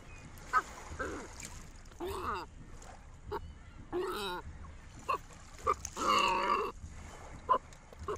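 American white pelican giving rough, nasal honks and grunts at irregular intervals, broken by short, sharp pips, over a low background murmur.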